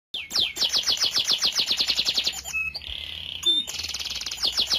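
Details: Canary singing in a loud, continuous stream: a fast run of sharp descending notes repeated about four times a second, then a rolling high trill and a buzzy churr, resuming with rapid notes.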